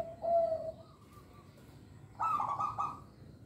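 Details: Local zebra dove singing as a lure for young birds: a short, clear, level coo, a quiet pause, then a louder burst of rapid, buzzy, vibrating notes.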